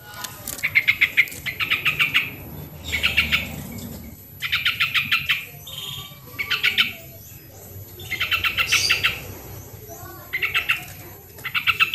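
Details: Original sooty-headed bulbul sound used to coax lazy birds to sing: a long sequence of quick chattering phrases, each a tight run of harsh repeated notes, coming one after another with brief gaps.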